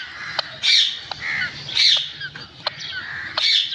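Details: Green pet parrot said to be talking: three loud, harsh, raspy bursts about a second apart, strongest in the upper range, separated by sharp clicks and softer rising whistled notes.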